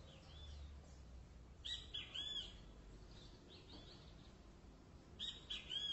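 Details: Great kiskadee song in two bursts of sharp, arched, whistled notes, the second burst answering about three seconds after the first. Softer chirping sounds in between, with low rumbling noise underneath.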